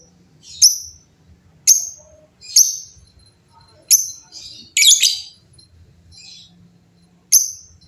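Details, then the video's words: Many lovebirds calling back and forth; short, piercing high chirps spaced about a second apart, with one denser scratchy burst midway, over a faint low hum. "LOVEBIRD GACOR GAYA MEWAH SEMUA LOVEBIRD JADI BUNYI RIBUT BERSAUTAN"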